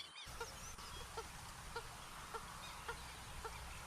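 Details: Purple gallinule producing faint, evenly spaced clucks about twice a second over a steady hiss of background noise.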